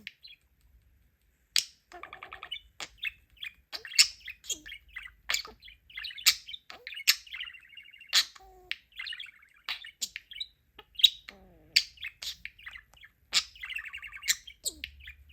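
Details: Pet budgerigar, a talking parakeet, chatting with people while outside his flight cage playing with toys, in quick, scratchy bursts of chirps, clicks and warbled notes.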